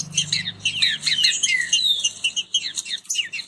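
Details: Short stretch of rapid song dispute between kept green-winged saltators: jumbled high whistles and chirps fired in quick succession, with a low steady electrical hum in the background.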